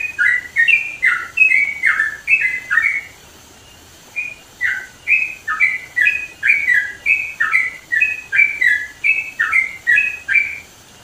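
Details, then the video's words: Sooty-headed bulbul in the mountains of East Java sings loud, bubbling whistled phrases, two or three notes each, tumbling quickly one after another, with a brief pause midway. "TRUCUKAN GACOR SUARA LANTANG"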